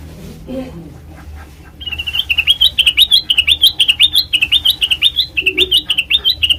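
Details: Black-crested bulbul song used as a trapping lure: after a quiet start, a quick series of bright, rolling whistled notes that rise and fall in a bouncing pattern, repeated steadily for about five seconds over low background hum.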